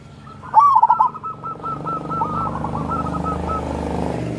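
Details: Zebra dove (local perkutut) lure song for lazy birds: a single rolling, stuttered coo phrase that fades into a lingering trill as a loud low engine or traffic rumble builds and masks it.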